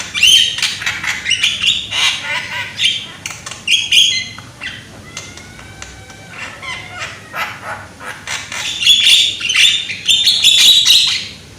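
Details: Javan myna, young and loud-voiced, used as a lure song: a long stream of squawky, grating notes interspersed with thin whistles, irregular but continuous, ending in a cluster of high whistles.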